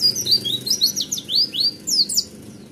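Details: Kept Oriental white-eye singing in the roll tembak style: a rapid run of thin, high sweeping chirps, many rising or falling slurs packed closely together, over a low steady background hum.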